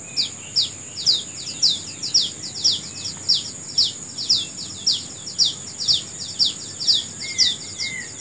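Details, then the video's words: Bird singing in the morning in natural surroundings: sharp, high, downslurred chirps repeated about twice a second in a steady run throughout, over a constant shrill insect drone. "Menikmati Suara Burung Di Pagi Hari"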